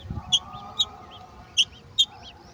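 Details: Golden oriole bringing a mantis to its young gives four clipped, high chip notes in quick succession, with faint low background noise.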